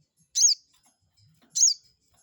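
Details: Two shrill, buzzy high notes from a crested jay, a little over a second apart, used as a lure to stir a rival to respond.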